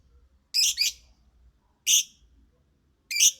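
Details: Singing lovebird giving a harsh double chirp, then single shrill screechy notes spaced more than a second apart against a quiet background.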